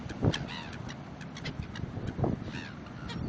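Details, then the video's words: Hungry seagulls in Cape Town giving harmonic, wavering calls with a slight rise and fall, one near the start and another after two seconds, over heavy wind rumble. "Hungry seagulls"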